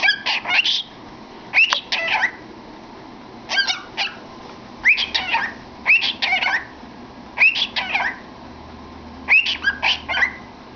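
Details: Pet cockatiel entertaining itself in a cardboard tube, repeating short phrases roughly every one to two seconds, each starting with a quick rising whistle followed by warbled chirps.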